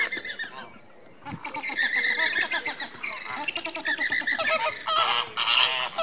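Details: Displaying Andean flamingos, recorded 29 April 2014, give a steady babble of many overlapping honking, nasal calls, briefly quieter near the first second before swelling again.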